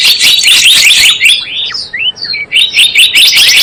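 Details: Java sparrow lure sound for trapping birds: busy high chirping at first, then sliding whistled notes that swoop up and down, before chirping chatter resumes.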